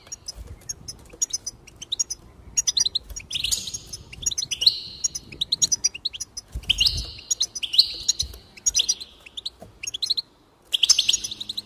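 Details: Goldfinch song played to encourage singing: fast high twittering of sharp chirps, broken by drawn-out nasal buzzy tones, in bursts across the clip with brief pauses and a faint low rumble beneath.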